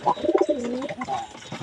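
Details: A pet pigeon, kept as a hobby bird that its owner says is not growing bigger despite much effort, gives a soft, low coo that dips and then levels off.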